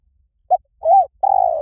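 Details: Spotted dove coo used as a lure: a short hoot, a smooth arched coo and the start of a long rolling coo sliding slowly lower.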